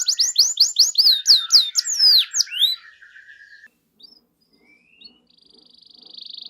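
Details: Actively singing canary, used to trigger quiet canaries: about three seconds of loud, rapid downward-slurred whistles over a low buzz, then near silence and a faint thin trill rising at the end.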